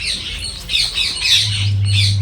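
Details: Garden parrot giving a short run of rough, smeared screeches while a person speaks nearby, with a low electrical hum underneath.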